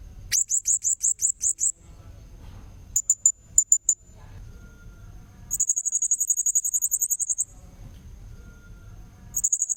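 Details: Blue-crowned hanging parrot lure call in separate bursts: a run of high chirps, a few scattered sharp notes, then a long fast trill of piercing high notes near six to seven seconds; quiet low rumble in gaps.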